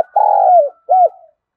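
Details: Spotted dove giving gù and gáy calls, used to train decoy birds: one long, low, steady coo that sags at its end, then a short arched coo note.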